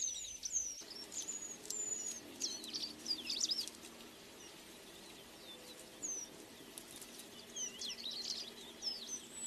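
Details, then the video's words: A Flame-crowned manakin (Heterocercus linteatus) gives thin, very high chirps and short falling whistles in scattered bursts, over a low steady hum of background noise. "Flame crowned Manakin"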